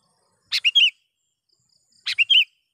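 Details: Vocal sooty-headed bulbul luring wild birds: two loud phrases, each a click, a short note and a rolling bubbly chirp, spaced about one and a half seconds apart, clean background.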